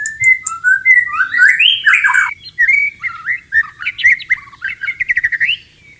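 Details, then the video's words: White-rumped shama in breeding condition and wanting to mate, a wild bird singing clearly: varied whistled phrases with rising and falling sweeps, then jumbled notes, ending in a quick run of short repeated notes. "MURAI BATU GACOR BIRAHI MINTA KAWIN"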